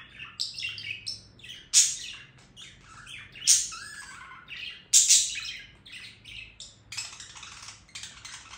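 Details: A budgerigar's song runs on as scratchy chattering and warbles, punctuated by three loud harsh squeaks and a few lower whistled slurs, with a quiet room hum behind.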